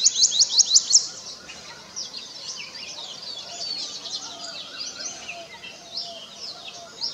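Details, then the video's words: Purple sunbird courtship song: a fast burst of four or five sharp, high upslurred chirps in the first second, followed by a softer, continuous high twittering that runs on to the end. "Purple Sunbird - Courtship Song"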